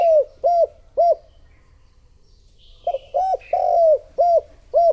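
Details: Decoy spotted dove cooing to lure wild doves: two short arched coos, a pause, then a run of five more, one drawn out. A faint higher chirp from another bird overlaps in the middle.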